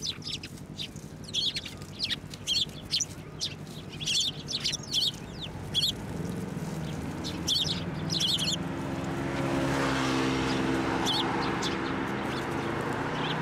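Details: Tree sparrows flying onto an outstretched hand for food at a Tenmangu shrine in December; dense, lively high chirping for several seconds, then chirps stop and broad rushing noise takes over.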